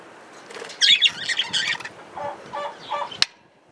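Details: Male budgerigar chattering: a burst of buzzy, scratchy high warbled notes, then a short run of lower, nasal repeated notes and a sharp click near the end, over quiet background hiss.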